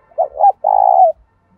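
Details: One phrase from a decoy spotted dove calling to make newly caught doves coo: two short swelling notes then a sustained, evenly vibrating low coo that drops slightly at the end.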